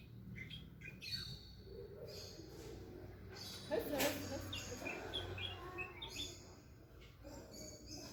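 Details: Bulbul singing: short, bright chirping notes scattered irregularly through the recording, high and clipped, some faint and some clearer, over a steady low background hum with a brief louder thump near the middle.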